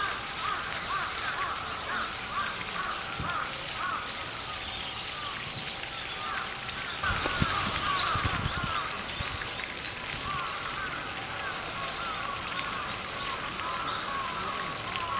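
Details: Brown-eared bulbuls on a mild late-autumn day give harsh, screechy calls, many overlapping and repeated in quick bursts throughout, over a soft outdoor background hiss.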